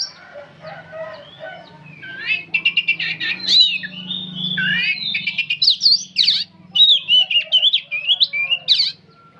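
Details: Ceaseless song of an old oriental magpie-robin: fast stuttering buzzy notes give way to loud slurred whistles and rising-falling warbles, with a low hum underneath.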